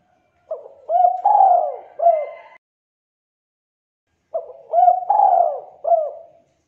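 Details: Spotted dove singing in the thick, clear culhu kuk 2 style, a contest prospect. Two matching phrases of low, rounded coos are separated by a pause of about two seconds. Each phrase holds quick clipped notes and a longer falling coo, with a short final note.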